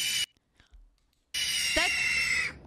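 A Red-tailed Hawk gives one hoarse, high scream about a second long that slides slightly downward, after a brief burst of noise and a pause.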